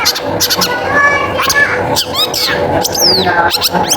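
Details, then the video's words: Long-tailed shrike singing briskly, played to prompt other shrikes to sing: scratchy chatter, a few slurred downward whistles and a strong descending double whistle near the end, over a constant low hum. "Suara Pancingan Cendet Gacor Paling Banyak Di Cari Suaranya Jernih Gacor"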